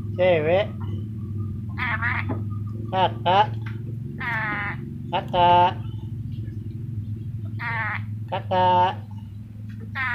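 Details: Talking ornate lorikeet from Sulawesi producing a run of short speech-like syllables, some sliding downward in pitch, in irregular bursts about every one to two seconds, with a steady low hum underneath.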